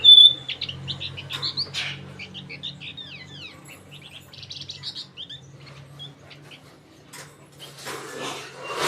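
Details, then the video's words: Male flamboyan singing gacor: quick sequences of short high chirps and downslurred whistles, a brief buzzy rattle midway, then a noisy scratchy burst near the end over a low steady hum. "flamboyan jantan gacor"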